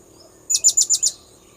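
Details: Blue-crowned hanging parrot call played as a bird lure: a burst of five shrill, high-pitched tseet notes in rapid regular succession, then quiet with a faint continuous whine.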